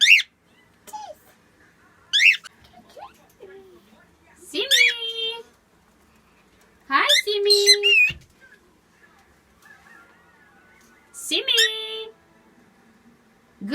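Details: A pet cockatiel named Simmy mimics speech in squeaky bursts, with whistled, harmonic syllables separated by short pauses, saying phrases like "see me", "my baby" and "good boy".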